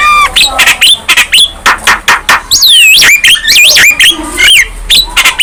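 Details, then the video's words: Young Javan myna singing hard with nodding head, mixing sharp clicks, harsh buzzy notes and curling high whistles that loop up and down in a lively, uneven stream. "Kicauan Jalak Kebo Muda Gacor"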